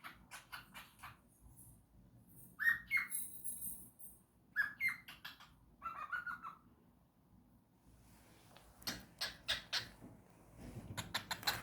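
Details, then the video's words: Singing cockatiel giving clear, rising whistled upslurs in pairs, mixed with bursts of quick clicking chatter and short scratchy notes, with gaps of near silence between phrases. "Cocktail bird sings"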